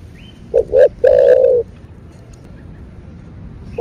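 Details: Spotted dove giving a 'thổ bầu' style call, a calling and urging phrase of two brief clipped notes followed by one long steady coo, with a high faint chirp from another bird just before it.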